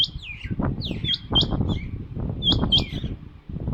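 A female rain quail gives sharp, high chirping notes with quick downward slurs in loose bursts, over a steady low rumble of background noise.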